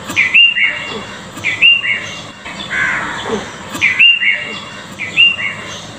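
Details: House sparrows in the rain, singing loudly: bright, high chirps in short paired bursts every second or two, with a steady hiss of rain underneath and a soft lower murmur midway.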